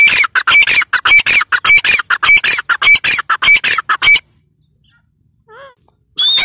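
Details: Female Grey francolin (teetar) gives a fast run of harsh, grating squawks, close to two per second, for about four seconds, then silence broken by a faint wavering whistle and another rough burst at the end.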